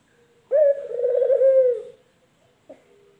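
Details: Male puter collared dove, from a comparison of local and white males: one drawn-out low coo with a wavering, trilled middle section lasting about a second and a half, then a short faint coo.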